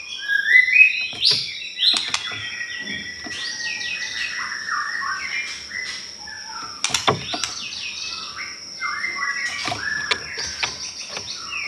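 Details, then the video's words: Pastol singing as a lure recording meant to provoke other pastol birds: varied whistled phrases that sweep up and down with buzzy notes and sharp clicks, and a steady high-pitched tone running underneath. "Pancingan Ampuhh || Pastol Gacorr !!"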